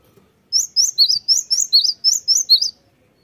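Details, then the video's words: Lively Cinereous tit phrase: around ten sharp, high, slurred chirps in quick regular succession, alternating between slightly higher and lower notes, with little background sound. "sekali putar langsung nyaut gacor. gelatik batu"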